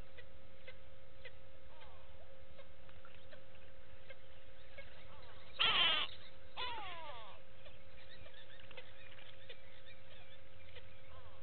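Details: Go-away-bird at Gowrie dam waterhole, Djuma Game Reserve, Sabi Sand Wildtuin, South Africa, on 06/06/18, picked up by a live waterhole camera: one loud, harsh nasal call, then fainter descending notes, over a steady low background hum.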